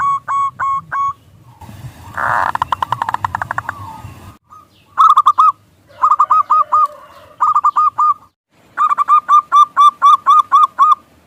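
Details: Zebra dove, a local bird singing as a lure to make others coo: short phrases of rapid, rolling, hooked coos. A harsh rustling noise briefly covers the song early on, then clear repeated bursts follow.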